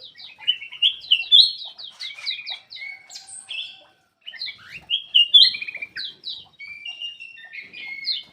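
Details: Black-crested bulbul in lively song, used to prompt lazy birds into singing: a continuous stream of quick whistled and chattering notes with a short pause midway.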